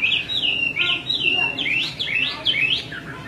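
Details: Female Chinese hwamei repeating calls to excite a male into singing; a sequence of loud, up-and-down slurred whistles, roughly three per second, strong and clear against a low background hiss.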